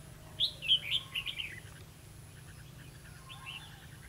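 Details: A red-whiskered bulbul at a trap on 11 November 2016 gives a loud burst of sharp, chirpy whistled notes that fades into softer, distant phrases, over faint background hum.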